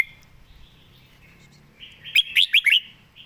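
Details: Perched Red-whiskered bulbul singing at ease with good, rapid phrasing: after a quiet lead-in, a single lively phrase of four bright, rising-and-falling whistled notes.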